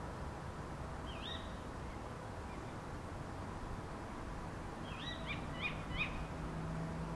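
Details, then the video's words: Tawny owls (Strix aluco) calling in the early morning of 28 November 2011 from a back garden in Beek Ubbergen, the Netherlands: faint, sharp, wavering calls, one near the start and a quick cluster of four later, over steady low rumble. "Tawny Owls calling"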